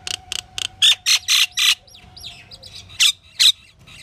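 Pied myna giving a mix of harsh squawks, short chirps and whistled notes, several loud bursts in quick succession with a steady faint hum beneath.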